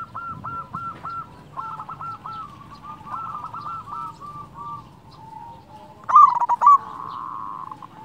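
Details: Zebra dove of a local strain, cooing to encourage reluctant doves to sing: long soft runs of repeated coo notes, then near the end one loud, quick burst of ringing cooing.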